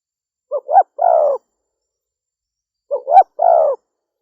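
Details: Female spotted dove giving two cooing phrases about two and a half seconds apart, each a pair of short rising notes followed by a longer, slightly burry coo that slides downward; otherwise silent.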